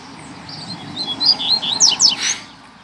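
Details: Rusty-collared seedeater singing to challenge a rival, a brief run of high, slurred notes ending in quick downward sweeps over steady background noise.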